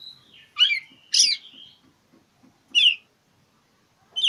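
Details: Challenge song of an Oriental magpie-robin, used to coax silent birds to sing. A level high whistle leads into three loud rasping, falling notes. Soft rhythmic ticking is heard underneath.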